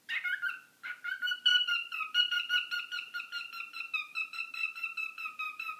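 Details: Captive pet bird, staying indoors after a hurricane, reacting loudly to phone talk: a long run of pulsed, nasal, rhythmic squawking notes, steady and insistent.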